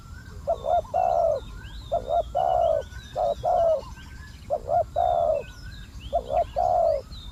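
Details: Decoy spotted dove cooing while wild doves are lured. Paired coos, a short note and then a longer one, repeat in roughly one-second groups, with small birds chirping faintly in the background.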